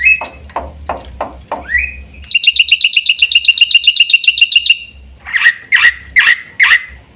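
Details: Black-winged myna mixing harsh, rasping notes with a rising slur, then a fast trill of clear, ringing chirps. It closes with several loud, piercing single calls spaced apart.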